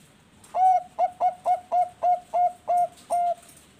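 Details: Bangkok-type zebra dove (perkutut) at a breeding farm in Bekasi, West Java, Indonesia, singing vigorously as a lure song: eight short, mellow cooing notes at a steady pitch, closely spaced over about three seconds, against a quiet background.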